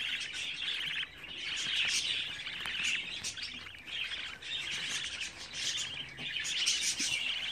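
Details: Young pet budgerigars in a brood whose eldest is 24 days old keep up a continuous high twittering chatter, swelling and easing in bursts over several seconds.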